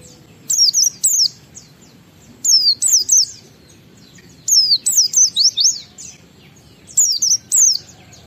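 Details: Oriental white-eye singing ngalas style, chained with wiksar, played as a lure so other white-eyes start singing: short bursts of two to five high zigzag whistled notes, each burst separated by roughly a second of quiet.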